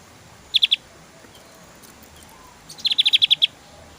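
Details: Javan grey-throated white-eye in lively 'tembakan' singing style: two bursts of sharp, high chipping notes, a quick triplet followed by a faster run of about eight even chips, with quiet gaps between.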